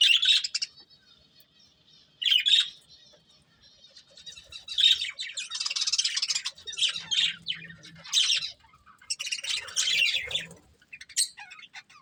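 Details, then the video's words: Pair of breeding budgies chattering: sharp high chirps and scratchy warbles come in uneven bursts every second or two. Some phrases are long and busy, with near-silent gaps between, and faint low rustling can be heard. "Cute Budgies Chirping Sounds"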